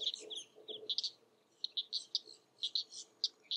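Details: King rail persistently giving its kek call on a spring morning in Florida's Mallory Swamp among spatterdock pads; sharp, clipped notes in uneven bursts, some paired, about three per second, with a faint hum below.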